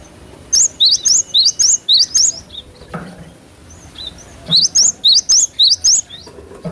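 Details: Cinereous tit singing in a lively, persistent style, used as a lure to train cage birds: two runs of high, clear two-part whistles that rise then drop, repeated about four times a second, over faint background hiss.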